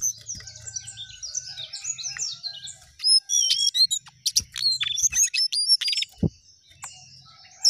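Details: Jongkangan singing energetically with rising and falling phrases: soft twittering at first, then louder clusters of high sharp chirps and thin whistles from the middle onward, over a faint low hum.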